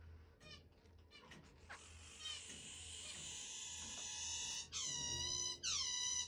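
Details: Pet zebra finch, one of two birds resting on the back of a hand, suddenly bursts into a shrieking song indoors: soft clicks, then a long harsh buzzy rasp, then two bright, nasal, harmonic-rich notes.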